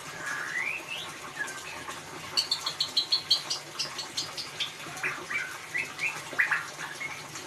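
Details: Ngeriwik song of a white-rumped shama meant to prompt a silent bird to sing: an opening upslurred whistle, then a fast rattling series of high clipped notes, followed by varied swooping whistles and chirps.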